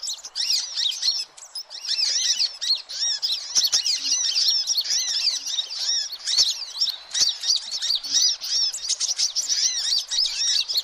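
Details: Hummingbirds calling noisily as a lure: crowded high chirps and rapid arched twitters run continuously, dipping briefly now and then before resuming at full density.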